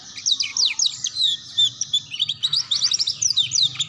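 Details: Canary song meant for young canaries learning the ngeriwik sound: continuous fast chattering of short sliding chips and twitters with hardly any pause.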